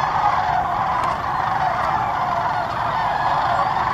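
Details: Sandhill cranes gathering in a large flock at Muscatatuck National Wildlife Refuge, Indiana; a dense, continuous chorus of overlapping rolling, rattling calls from many birds, steady throughout with no single caller standing out.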